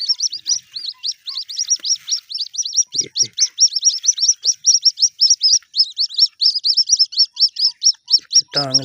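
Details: White-breasted waterhen chicks, caught by hand before being released, give a steady stream of thin, high peeps, several each second; a brief low thump and a deeper voice come at the end.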